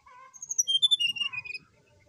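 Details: Brown-chested jungle flycatcher singing in the morning, used as a lure to prompt other birds to sing: a quick run of clear whistled notes, high then stepping downward, lasting about one and a half seconds over a quiet background.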